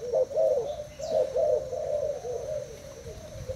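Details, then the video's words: Spotted dove in a cage, kept two days, in a cooing contest with a decoy bird; soft low coos repeated roughly once a second in a steady, slightly uneven series against a faint background hum. "Cu gáy thailand đấu gù mồi"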